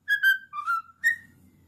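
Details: Cockatiel, a ten-year-old male pet, whistling a fragment of the Addams Family theme: clear notes that dip lower and then jump back up, with faint low room hum at the end.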